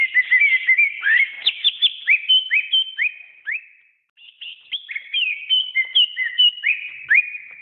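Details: Greater green leafbird singing for pet-bird training: busy whistled phrases of slurred upward and downward notes and crisp chips, a short silence around the middle, then more rapid varied whistling.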